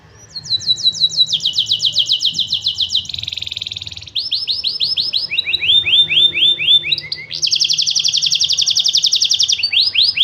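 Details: Canary singing a loud, fast song of repeated trilled phrases: rising sweeps, a buzzy rattle, then lower downslurred notes and a long rapid high trill, each phrase repeated many times at about three or four notes per second.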